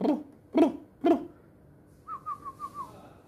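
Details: Chukar partridge from the Pamirs, kept for hunting: three loud, low, clucking notes about half a second apart, then a quick run of six soft whistled notes at an even pitch.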